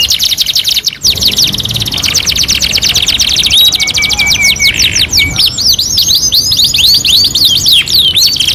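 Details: Canary masteran (tutor) song, two in one: a fast buzzy trill of rapid repeated notes, then long steady whistled tones and a run of curving, downward-sweeping notes, bright and loud throughout.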